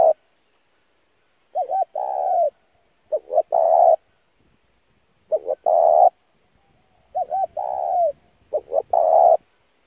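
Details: Repeated cooing of a spotted dove used to train decoy birds: five phrases over ten seconds, each a short warbled note or two then a sustained coo, spaced about every two seconds.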